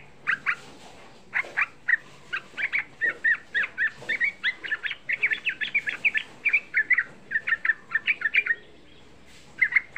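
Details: Young yellow-vented bulbul sung as a provoking lure for other bulbuls: lively strings of short, liquid, warbled notes, fairly steady throughout, over a constant hiss of background noise.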